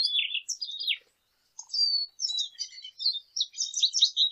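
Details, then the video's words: Lesser goldfinch song: high twittering phrases, a sharp downslurred note, a half-second pause, then a clear sustained whistle followed by rapid buzzy chattering notes; a clean recording with no background sounds. "Jilguero Aliblanco Canto - Lesser Goldfinch Song - Lesser Goldfinch Call -Spinus Psaltria"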